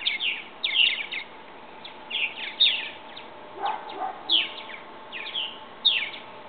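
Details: Purple martin fledglings leaving the nest box: grouped bursts of sharp chirps, each burst led by a loud slurred note, recur roughly every second or so, with quieter low calls midway.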